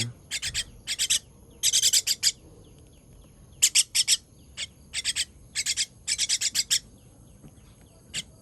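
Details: Baby bird begging while being fed, recorded 18.06.23: loud, harsh, high chirps delivered in tight bursts of three to five, about nine bursts over eight seconds with short quiet gaps between.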